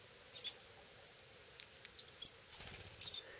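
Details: Young Pyrrhuloxia begging while the male feeds them from a hand, summer in Terlingua, Texas; shrill doubled notes at a very high pitch come in three bursts, with faint tapping between.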